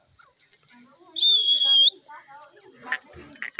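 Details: Green parrot talking: soft speech-like murmurs, then a loud, harsh, high screech held steady for under a second. Low chatter and a few sharp clicks follow.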